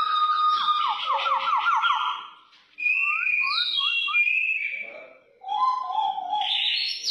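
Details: Brown oriole singing in an aggressive style: phrases of rich whistled notes, a series of quick upslurred whistles, then lower warbled phrases, separated by short pauses.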